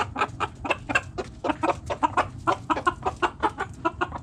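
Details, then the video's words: Backyard hens clucking steadily, a run of short, mid-pitched, evenly spaced clucks from several birds over a low background hum. "Backyard Chickens Relaxing Video Sounds Noises Hens Clucking Roosters Crowing!"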